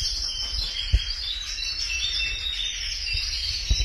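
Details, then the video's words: Canaries singing in a dense, continuous high warble of overlapping chirps and trills, with a low rumbling hum and a few soft knocks underneath. "Canaries Singing | Canary Chirping sounds | Kanarienvogel Gesang"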